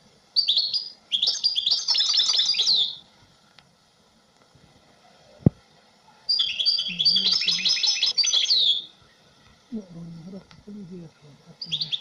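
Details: European goldfinch singing long, dense, twittering and buzzy phrases, with a sharp click in a pause and some low murmuring background sound between phrases.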